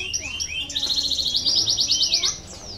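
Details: Canary song used as a lure for lazy singers: a few high slurred whistles, then a bright, rapid pulsing trill lasting about a second and a half.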